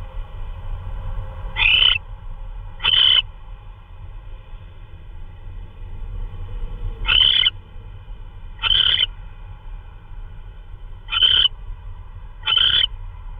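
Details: Owl bringing in prey, possibly a vole, in the early hours of 16 March 2013 at 3:12 AM: six short, raspy calls with a shrill tonal core, given in three well-spaced pairs, over a continuous low hum.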